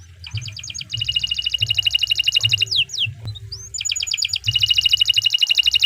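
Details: Canary singing a long training song: fast rattling trills of high notes, about four strokes a second in the loudness pattern, broken by two downward sweeps and an upward slur before the trill resumes.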